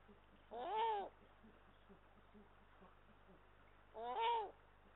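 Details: A male and female Eurasian eagle-owl at their nest in Estonia, 18 March 2022, heard through a nest camera: two loud arched, nasal wailing calls that rise then fall, about three seconds apart, over a low steady hum.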